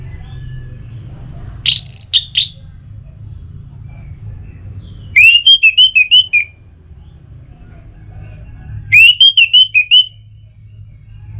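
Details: Orange-headed thrush in breeding condition, Singaraja, North Bali, singing to call a rival. A rich whistled phrase is followed by two longer runs of rapid rising-and-falling clear notes, roughly every four seconds. A low rumble sounds underneath.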